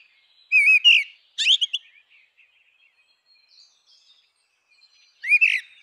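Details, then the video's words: Grey-winged blackbird in its natural habitat, giving clear whistled phrases that rise and twist, two quick phrases close together and another after a pause of about three seconds, with near silence between. "Canção do melro com asas cinzentas! Som de melro com asas cinzentas!"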